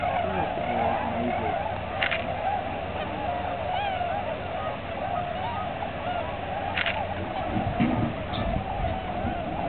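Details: Large gathering of tundra swans resting on migration at Aylmer Wildlife Management Area, March 15, 2009; continuous layered chorus of mellow hoots and honks, some short sharp bursts and a few distinct nearby calls over ten seconds.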